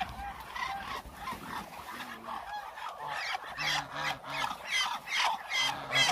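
A large flock of Muscovy ducks makes a dense, hissing, chattering din in rapid overlapping bursts, with a few deeper honking notes underneath.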